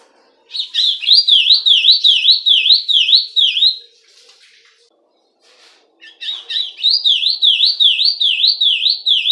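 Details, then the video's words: Song of a Rusty-collared seedeater, used for tutoring young birds: two bursts of rapid, bright, swooping whistles, each note falling then rising, delivered about twice a second, separated by a short quiet pause with faint chatter. "CANTO DA COLEIRO DO BREJO PARA ENCARTE!!!"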